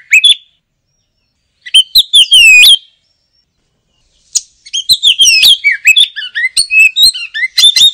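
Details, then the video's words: Kacer, the oriental magpie-robin, in ngoceh gacor song: short whistled phrases with crisp clicks, a pause, then a long continuous stream of varied whistles, slurred notes and chips. "Suara Kicau Burung Kacer - Ngoceh Gacor"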